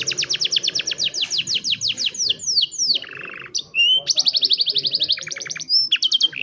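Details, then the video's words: Young canary singing in training, cellphone recording: fast rolling trills of down-slurred notes, a lower buzzy roll, then more rapid high repeated notes and quick whistled slides, loud and continuous. "Canary Singing"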